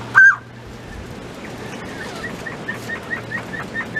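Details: Mountain quail kept in a pen, feeding on treats: one loud clear whistled note opens, followed by a quieter string of short chirps over a constant low hum.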